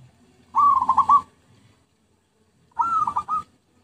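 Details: Two rolling, pulsed coos of a zebra dove from a lure recording, about two seconds apart, each opening on a clear note and ending in a rapid stutter.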